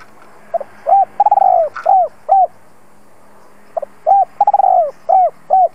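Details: Spotted dove calling as a lure to draw in wild doves: two phrases of short coos, each opening with faint notes, then a long slurred descending coo and two shorter coos, with a gap of about two seconds between phrases; light background hum.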